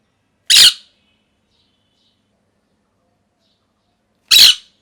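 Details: Molting pet parrot with lost feathers lets out two loud, harsh, short squawks about four seconds apart, with silence between them.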